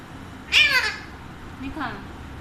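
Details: Pet Alexandrine parakeet kept as a talking parrot, giving a loud, harsh, harmonic-rich squawk lasting about half a second, followed a second later by a shorter, fainter call, in a quiet indoor setting.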